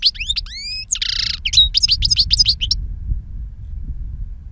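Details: Wild-type song of a two-year-old European goldfinch noted for powerful timbre and long calls: fast tinkling, twittering phrases with rising and falling whistles and a buzzy burst, lasting under three seconds, then quiet low rumble.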